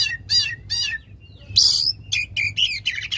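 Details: Oriental magpie-robin giving a loud song used to stimulate a magpie-robin that has stopped singing: sharp, high, chirping notes with a harsh rising squeal midway and a low hum behind.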